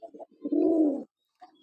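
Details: A Maxi Jalali domestic pigeon from a mated pair gives two soft, low notes, then a deep, rolling coo lasting about half a second, followed by a faint murmur.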